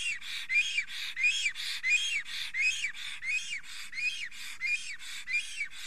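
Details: Male black stork, Estonia, 30 April 2020 at 10:48 am, agitated by a female near his forest nest. Rhythmic series of about fourteen arched, wheezy whistles, each broken by a breathy hiss.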